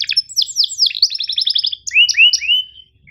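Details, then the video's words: Canary masteran tutor song for training young or quiet canaries: quick descending sweeps run into a rapid stuttering roll, then three loud rising upslurred whistles, with a short note at the end. "MASTERAN KENARI GACOR PANJANG EPS24 Cuit NgeroL TAJAM, Untuk Kenari SUSAH BUNYI & Paud belajar bunyi"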